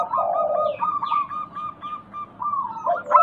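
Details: A zebra dove lure recording played to overcome doves that will not sing. Two low rolling coos frame a run of quick, repeated high chirps and faint sweeping notes.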